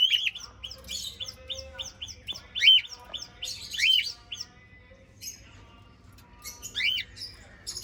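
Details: A cockatiel (Nymphicus hollandicus) gives loud, arched chirping whistles over a background of constant high chattering from other small parrots.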